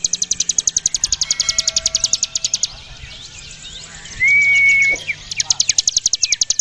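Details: Javan prinia, called ciblek gunung, in full ngebren song used to tutor contest birds: a rapid mechanical rattle of high clicks that stops, gives way to a sustained level whistle, then resumes.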